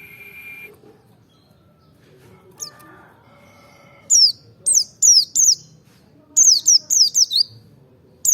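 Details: Merapi forest-type white-eye, used to provoke singing: after a quiet stretch with a brief steady tone, spaced high falling chirps come in, then a quick cluster of five sharply descending notes and one more at the end.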